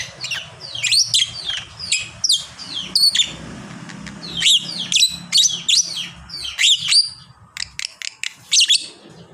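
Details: Fighter lovebird, a hobby bird, in full long ngekek chatter: dense runs of shrill, rapid squeaky chirps, some sweeping downward, continuing almost without pause through the recording over a low hum.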